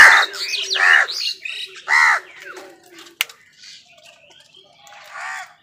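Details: Crows fighting wild birds for food give harsh, hoarse caws: several loud, rasping calls in the first two seconds, then softer, scattered calls and a single sharp click.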